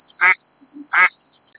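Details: Wild Mallard in New York State, USA, calling: two short, nasal, duck-like quacks about three-quarters of a second apart, with a steady high hiss in the background.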